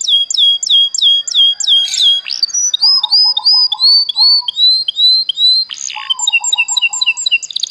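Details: Canary song: high, clear whistled notes repeated in fast even series, switching between rising and falling motifs, with brief low warbling rolls underneath; no other sounds.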